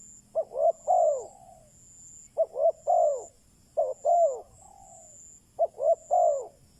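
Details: Decoy spotted dove calling to lure wild doves, in a quick-response decoy style: groups of three soft, low coos, two short notes then a longer downward-curving one, repeated about every 1.7 seconds, with a steady high hiss throughout.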